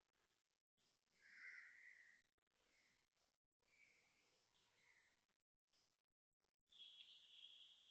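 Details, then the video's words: Koel giving loud, clear calls repeated at a steady pace, with a higher, piercing burst near the end and brief dropouts, recorded 7:02am on Monday 26 January 2026 at Toa Payoh, Singapore. "Loud koel noises"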